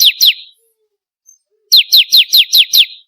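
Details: Bar-winged prinia song played as a lure to get kept birds singing: two sharp downslurred high notes, a pause, then a run of six identical falling notes about five per second.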